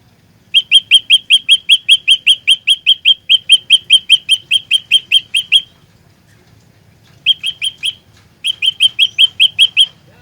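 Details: Trapping-lure song of a fighter olive-backed tailorbird: a long string of some two dozen clipped upslurred chirps, a pause, a short burst of four, then eight more, all rapid and ringing.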